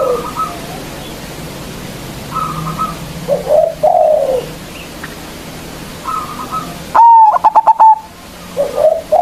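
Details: Local zebra dove with a big voice, a lure to make rivals sing. Faint cooing from other doves throughout, then a loud, clear drawn note followed by a burst of quick stuttered coos about two-thirds of the way through.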